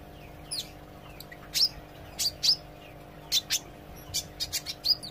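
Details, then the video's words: Olive-backed sunbird learning to sing continuously, giving scattered high thin chirps and short sharp notes at irregular intervals over five seconds, with a steady low electrical hum beneath. "suara kolibri ijo belajar gacor & ngobra"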